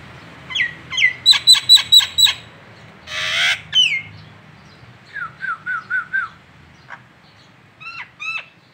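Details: Nias hill myna of local type on a masteran training recording: quick high pulsed notes, a harsh noisy rasp, then a string of short wavering whistles and a few sharp clipped calls.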